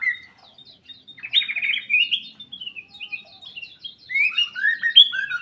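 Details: Black-capped bulbul singing actively in an aviary: mellow whistled phrases sliding up and down, with a rich warbled trill, while other birds add rapid high chips in the background.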